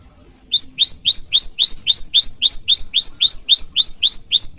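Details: Bar-winged prinia in a variation call for luring wild prinias and training cage birds, described as calling rivals: sharp high chirps, each sweeping upward then flattening, repeated steadily almost four times a second after a short quiet start.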